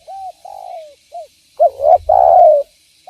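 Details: Spotted dove cooing as a lure for other doves: several gentle low coos, a drawn-out falling note, then a rough rising coo into a long, louder, slightly descending coo.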